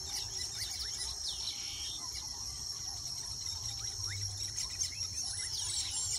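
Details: Nest-building weaver birds in Uganda give scattered sharp chirps and brief slurred whistles, several birds calling at once over a constant high-pitched insect hum.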